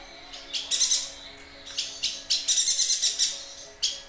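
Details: Chatty yuhina sound offered for training other songbirds: clusters of three to six rapid, scratchy high chirps separated by short pauses, with a lone sharp note near the end.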